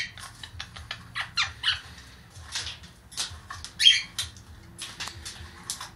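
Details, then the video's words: A baby blue Quaker parakeet, a pet female in her small temporary cage, makes funny noises: a series of short harsh squawks and squeaks, irregularly spaced, with one louder rasping call near the middle, in a quiet room. "the Quaker making funny noises"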